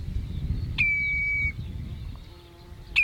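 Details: Common redshank calling at Ochsenmoor near Hüde on 27 May 2018 at 07:10, recorded with a Panasonic Lumix GH5: one long, steady, high whistle held for under a second, then a short clipped note at the end, over low rumbling background.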